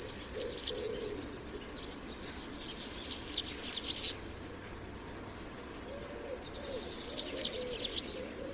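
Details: Three quick, glittering bursts of very high, rapidly jumbled notes from a European Serin, whose song is called typical and diagnostic; each burst lasts about one and a half seconds, with quiet gaps between them.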